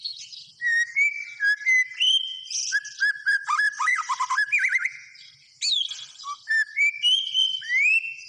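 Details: Melodious white-rumped shama song, with clear whistles, a rapid chattering trill in the middle and rising whistled phrases near the end, separated by brief pauses.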